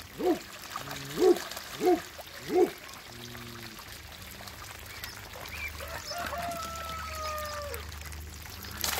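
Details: Mallard and Pekin hybrid ducks, two males and one female, kept in a backyard; four short, loud, harsh quacks come about once a second, followed by steady drawn-out tonal squeals and faint background noise.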